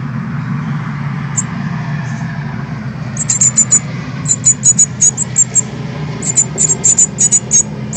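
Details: Fledgling Northern cardinals leaving their nest and learning to fly, 13 August 2020, live stream: after a few stray notes, regular bursts of high thin chirps in pairs and triplets over a low rumbling background.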